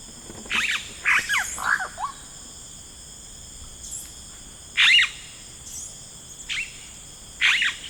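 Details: Yellow-rumped cacique calling in rainforest, a quick run of three descending gurgling notes, then scattered louder rasping bursts separated by pauses, against a persistent high-pitched insect hum.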